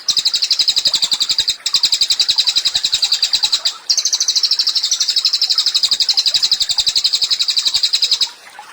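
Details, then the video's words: Cililin in a long, loud, fast trill of rapid repeated notes, about four per second in pulsed bursts, high and even, with two brief breaks, used as training song for songbirds. "CILILIN GACOR, MASTERAN HANDAL UNTUK BURUNG KICAU."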